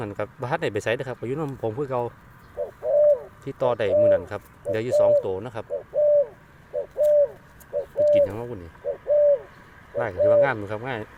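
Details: Spotted dove, a decoy bird used to lure wild doves in Thailand after a storm, giving short, low, steady coos about once a second, with men talking loudly over and between the coos.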